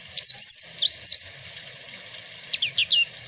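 A Papuan black-fronted white-eye sings thin, high, quick twittering phrases in three short bursts, over a steady faint hiss.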